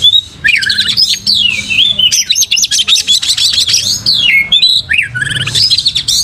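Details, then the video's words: White-rumped shama kept in a cage, tail fanned, singing a dense, energetic flow of mixed whistles, trills and chattering notes with barely any pause. "pancing Kacer gacor buka ekor"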